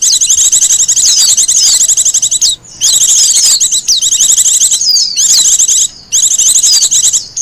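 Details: High, fast, breathless warbling from a wild Japanese white-eye, dense chattering phrases of two seconds or so broken by brief pauses; recorded as a lure and master song.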